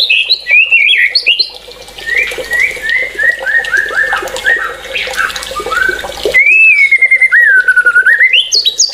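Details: White-rumped shama in energetic song, mixing high squeaky phrases, a run of short descending whistled notes, then a long wavering whistle that rises and falls, over a steady low hum.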